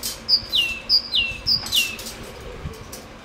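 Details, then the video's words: A tit that comes every day after being fed through the winter gives three quick two-note phrases, each a high clear note dropping into a lower slurred whistle, repeated about every half second over a faint hum; recorded 14 May 2013. "Синица благодарит за то,что подкармливали зимой"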